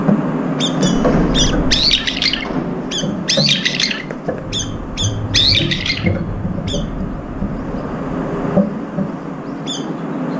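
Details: Several brown-eared bulbuls competing for food at a feeding spot, one with an injured left foot; harsh squawking calls in bursts of stacked notes, repeated rapidly through the first half then sparser, over a steady low background rumble.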